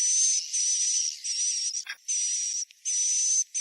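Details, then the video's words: Roosting call of swiftlets for luring them into a new bird house: long hissing, buzzy stretches with a thin high whistle, broken by a few brief clicks and gaps. "SUARA INAP BURUNG WALET SANGAT COCOK UNTK RBW BARU ATAU ZONK"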